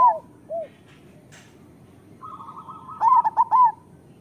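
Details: Local zebra dove song used as a master recording to coax idle or molting doves into singing: soft bubbling coo notes open the clip, a steady trilling tone runs in the middle, then a rapid burst of five rolling coos near the end.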